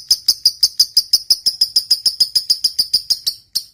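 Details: A lovebird's long ngekek trill, meant to goad other lovebirds: crisp, shrill ticking notes at a regular three-per-second pace, ending with a brief pause and one last note.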